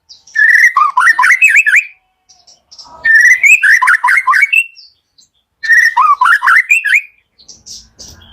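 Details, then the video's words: Three bursts of white-rumped shama song, a morning lure to set lazy shamas singing: each phrase opens with a clear whistle, then tumbles into rapid looping, warbled notes, with the phrases coming roughly every three seconds. "PALING EFEKTIF DI PAGI HARI UNTUK PANCINGAN MURAI MALAS BUNYI"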